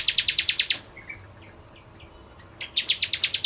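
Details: Bar-winged prinia's 'ciblek kristal' style song: quick bursts of hard, ringing high notes, a pause filled with soft varied chirps and slurred whistles, then another rapid run of sharp notes.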